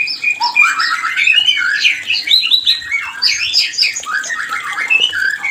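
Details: White-rumped shama mating song used to stir breeding: dense rapid warbling with scratchy twittered notes and slurred whistles, continuous across the clip with little pause.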